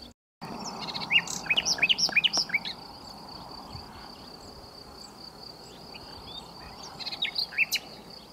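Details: Nightingale singing from a bush in the south of France, a lively cascade of quick upward-sweeping notes that fades, then a few soft notes return, beneath a steady high insect drone.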